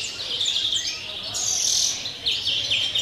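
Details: European greenfinch, 'campero' style song recorded 30 December; a short burst of dense high chattering trills with a bright sustained buzzy phrase in the middle, then quick rising notes.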